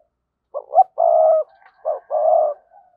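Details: Decoy spotted dove cooing to stimulate other birds. One phrase of low, mellow notes: a short double coo, a long level coo, a brief note and another sustained coo.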